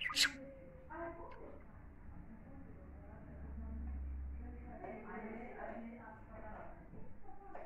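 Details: A talking budgerigar chatters in a rapid, scratchy, speech-like run of mimicked Turkish words, opening with a sharp click, over a low background hum.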